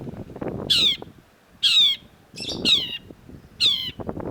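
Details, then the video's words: Long-tailed shrike in vigorous voice, recorded as a training track for songbirds: loud grating downslurred rasps, one or two at a time, roughly every second, over a low rumbling background. "cendet gacor MASTERAN CENDET SUARA MENGGEMA JELAS || Long-tailed Shrike"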